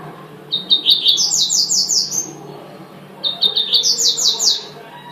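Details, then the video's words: Double-collared seedeater song: two bursts of high, bright notes, a row of short chips rising into a fast buzzy trill, with a quiet low hum beneath. "coleiro tuitui manda chuva"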